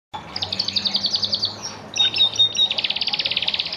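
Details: Orange pet canary singing: fast trills of rapidly repeated notes, a brief pause, then a clear whistled note leading into another rapid, even trill.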